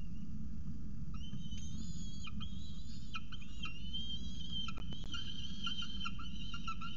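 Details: Peregrine falcon at a nest with a second meal, CSU Orange, 2 November 2018, 9:53 am; drawn-out tonal wailing calls, some level and some gently falling, come in a series over a constant low rumble.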